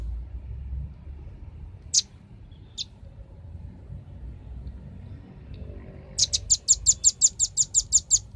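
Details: Velvet-fronted nuthatch lure song for drawing in birds: two scattered high notes, a pause with faint background hiss, then a rapid regular run of about twelve piercing high chips.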